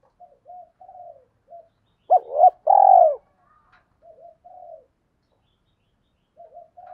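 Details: Spotted dove lure bird, thổ voice mixed with fast sewing-machine-like cooing, meant to provoke wild males into answering: soft low murmurs around one loud phrase of short then drawn-out hollow coos.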